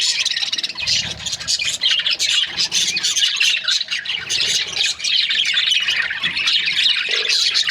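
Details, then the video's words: Flock of budgerigar breeding pairs chattering constantly, a thick wash of scratchy chirps and short squawks with no break. "Budgies parrot chirping sound"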